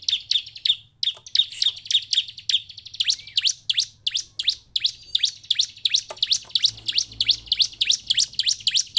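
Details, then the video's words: Emotional bar-winged prinia (ciblek) song used as a lure to get captive birds singing: long unbroken series of sharp, high chipping notes, three to four a second, speeding slightly toward the end over a low background hum. "pancingan ciblek penuh emosi ini supaya ciblek diam ikut bunyi dan cepat gacor"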